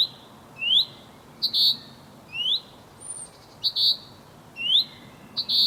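A male chaffinch repeats a short rising whistle followed by a sharp, bright chip, about once a second, over a quiet background.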